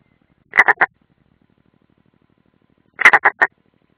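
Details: European roller at the nest in the Ādaži training ground, Latvia, 30 June 2016: two short bursts of three or four harsh, grating notes about two and a half seconds apart, close and clear.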